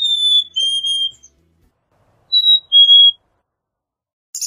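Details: A Black-capped Chickadee whistles its clear two-note 'fee-bee' song twice, a higher note sliding to a lower one; a brief rustle ends the clip.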